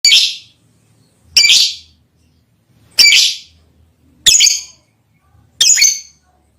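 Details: Lovebird chirping to call a female: five loud, harsh, buzzy chirps spaced about 1.4 seconds apart, each a short burst with a bright high edge, with silence between.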